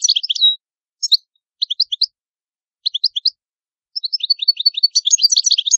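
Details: European goldfinch (Italian cardellino) song: a quick twittering opener, several triplets of sharp chirps, then a long rapid cascade of bright tinkling notes, clean background.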